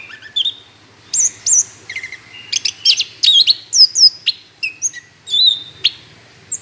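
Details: Lively song of an Orange-headed thrush, used to lure other birds into singing: clear looping whistles and sharp slurred notes, delivered in uneven clusters with brief silences, each phrase different.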